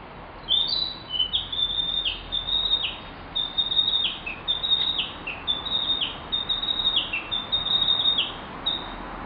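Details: Narcissus flycatcher singing, recorded over ten years ago: bright whistled phrases of sliding, dropping notes, delivered in quick repeated bursts with brief pauses throughout, over a steady low hiss.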